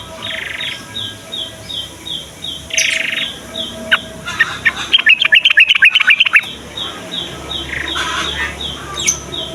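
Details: Morning song of a yellow-vented bulbul, meant to draw young males and females into singing: a short run of quick liquid chortling notes midway, set among regular high ticking calls and scattered chirps.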